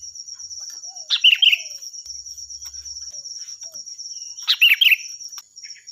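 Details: Sooty-headed bulbul song of the loud, piercing kind used to tutor other cage birds: two brief rolling, liquid phrases spaced roughly three seconds apart, with a constant shrill insect hum behind.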